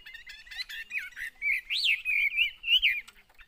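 A Chinese hwamei sings a rich, fast run of clear whistles, slurring up and down with rising loops and brief trills, over faint low background thumps.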